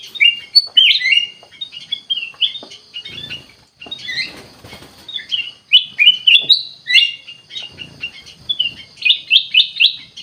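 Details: Ruby-throated bulbul, known locally as kutilang emas, singing persistently (gacor): a rapid, unbroken run of short whistled and chirpy notes, about four per second, closing with a quick series of bright repeated notes.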